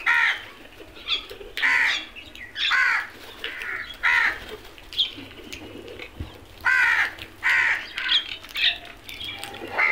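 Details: Crows foraging for food call repeatedly, harsh nasal caws about every second or so, arriving in runs of three or four with short pauses between groups.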